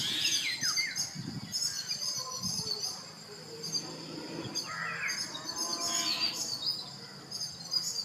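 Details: Squeaky, chattering notes and quick, high, rising whistles from a Brahminy starling (Sturnia pagodarum), with a steady high buzz behind and a cow lowing faintly at times.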